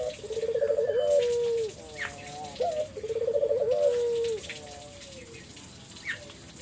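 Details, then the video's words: Lure song of a spotted dove, meant to provoke answering doves: two rolling, quavering coos, each sliding into a long falling note, followed by a quieter soft tail and faint background hiss. "Burung puter mana yang ga ikut nyaut kalo dengar GACORAN puter ini"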